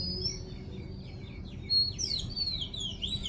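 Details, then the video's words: Small bird singing in the morning: a quiet, varied series of high chirps and short sweet slurred notes, building into a brighter twittering phrase, over a steady low background hum. "Amazing bird's sound in the morning."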